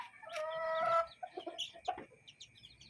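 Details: A hen with chicks in a yard and coop gives a drawn-out, tonal squawk lasting about a second, followed by several short, low clucks mixed with high chick peeps.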